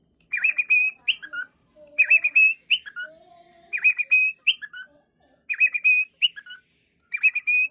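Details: Cockatiel (Nymphicus hollandicus), call.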